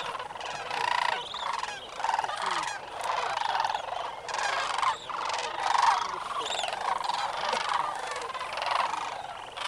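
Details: Many sandhill cranes at their roost pool, North Crane Pool of Bosque del Apache NWR, early morning on 27 November 2009, giving an overlapping chorus of rattling, bugling calls in continuous pulsing swells.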